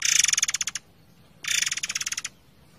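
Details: Forktail over flowing water, recorded for training songbirds; two back-to-back harsh rattles of quick, evenly repeated pulses, each under a second, separated by a brief quiet gap.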